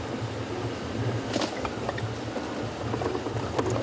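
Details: Steady low engine rumble with a few faint clicks and knocks at sunset on a live safari drive in Sabi Sand.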